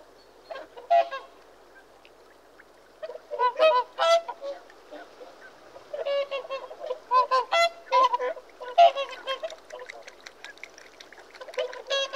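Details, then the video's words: Whooper swans trumpeting: quiet start, then a busy run of loud, brassy honks from several birds, overlapping and irregular, continuing to the end. "Whooper Swan Bird Call Bird Song"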